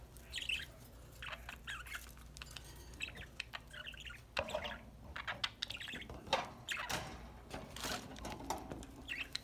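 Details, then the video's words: A group of budgies playing and singing during a corn treat: scattered soft chirps and twitters interspersed with sharp clicks and tapping sounds. "My budgies enjoying corn treat, playing and singing"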